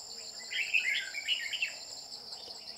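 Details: Red-whiskered bulbul, with a decoy bird used to trap a bell-voiced male, gives one lively, liquid warbled phrase lasting about a second over a loud, continuous high insect whine.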